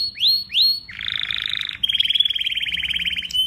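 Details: Canary singing: two quick rising whistled notes, then a dense buzzy trill, followed by a fast, regular, rattling trill of rapid repeated notes, clear and close.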